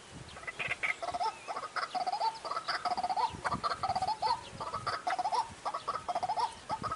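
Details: Lure call of the white-breasted waterhen for bird trapping, dry season: rapid runs of hoarse, nasal, upslurred notes in uneven bursts, with brief gaps and fainter higher calls behind.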